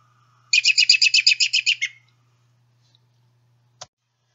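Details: An American Robin, in a Sibley guide recording, gives its whinny call: a quick, high run of about a dozen squeaky notes over a second and a half, like a tiny horse, followed by a soft click.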